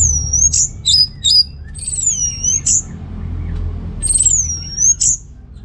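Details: Gacor song of an orange-headed thrush (anis merah), North Bali, meant to stimulate males with low breeding drive: long sweeping whistles sliding high then falling, with quick sharp notes between phrases, against a faint low hum.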